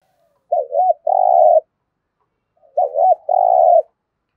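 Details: Decoy spotted dove, kept for attracting wild doves, giving two 'thúc gù' coo phrases. Each is a quick warbled double note and then a sustained low coo, with a pause of about a second between.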